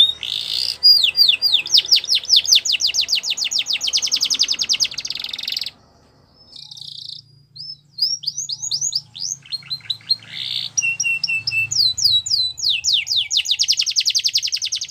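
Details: Canary champion song for training: fast trills of falling whistled notes and dense buzzy rolls, a quiet gap with low hum, then varied chirps and renewed rapid trilling.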